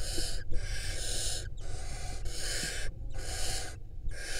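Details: Barn owl, a nesting female, at a camera-watched nest in Israel in 2022. Five long rasping hiss-screeches of up to a second each are separated by brief silent gaps, with a low rumble underneath.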